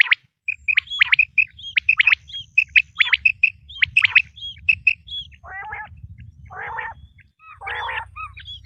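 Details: Quail recording used in hunting: runs of clipped whistled triplets and upward sweeps, then three harsh, buzzy squawks, over a steady low hum.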